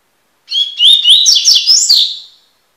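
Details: Coleiro, the Double-collared seedeater, gives a single tui tui style phrase of about two seconds, used as a training song. Clear, high whistled notes swing up and down in a fast, tumbling run.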